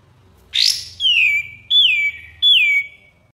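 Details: Common iora master song for training birds: four loud whistled phrases, each a sharp high note sliding down into a long steady whistle, spaced roughly every second against a quiet low hum.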